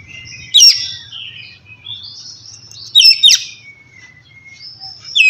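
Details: Relaxed ngeplong singing of an Oriental magpie-robin (kacer), played to coax lazy birds into song: short sharp whistled flourishes at intervals, linked by thin, drawn-out high whistles, with a soft low hum behind.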